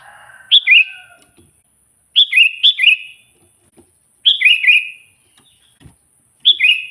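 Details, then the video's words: Sooty-headed bulbul, a lively singer used to call and provoke wild bulbuls, giving short bright whistled phrases of two to three falling-rising notes, repeated in bursts about every two seconds, with a faint steady high tone behind. "suara burung kutilang gacor memanggil kutilang liar suara asli alami"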